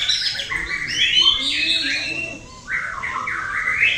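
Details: Caged male white-rumped shama trained for song competition, singing loud, varied whistles: rising and falling phrases, a short drop in volume, then a fresh burst of rich whistling.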